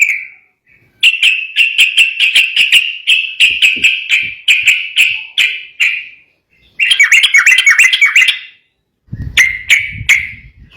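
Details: Agitated sooty-headed bulbul song that provokes rivals into singing: a long run of rapid, bright chattering notes, a short pause, then a richer warbled burst and a final trill with low thumping noise.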